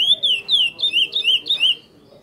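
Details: Chestnut-bellied seed finch of the praia mineirinho song style, kept in captivity, giving a short phrase of loud, clear whistled notes, each sliding down or looping, about seven notes before falling silent.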